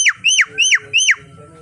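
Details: Javan myna morning tutor song for training birds: four loud, screechy whistled notes, each rising briefly and then sliding steeply downward, repeated about every third of a second, with faint low hum beneath.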